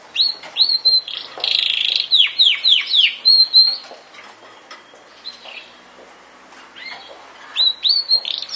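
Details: Yorkshire canary song with quick runs of downward-slurred chirps and a dense buzzy burst early on, a long quiet stretch in the middle, then renewed bright chirped phrases at the close.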